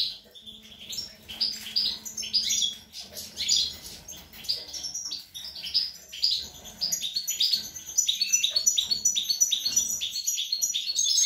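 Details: Young European goldfinch singing on 25 April 2021: a long, continuous high twittering run of quick chirps and short trills that grows louder and denser toward the end.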